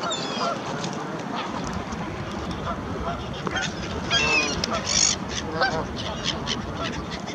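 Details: In a wet, windy, almost deserted Hyde Park, a flock of Canada geese crossing an empty road to be fed honks in a busy, overlapping clamor, nasal calls tumbling over one another against a dense background murmur.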